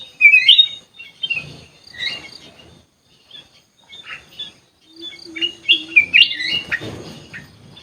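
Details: Ruby-throated bulbul kept in an aviary among other birds, giving bright, chirpy whistled notes in short bursts with pauses between phrases, plus a faint low steady tone near the end.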